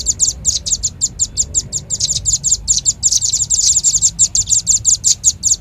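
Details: Red-billed leiothrix trapping lure: continuous rapid high chirps, sometimes doubled, holding a steady rhythm for over five seconds with slight swells in loudness.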